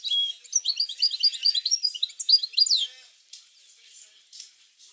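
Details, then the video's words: European goldfinch song played to stimulate goldfinches to sing: a dense, fast run of liquid twittering notes and tinkling chirps for about three seconds, ending in a sharp rising note, then fading to faint scattered chirps. "اروع بتبتة لتحفيز الحسون على التغريد"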